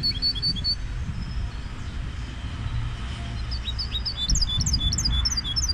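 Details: Goldfinch hybrid song: a few quick high chirps open, a pause, then a lively run of rising and falling twittered notes toward the end, with constant low background rumble throughout.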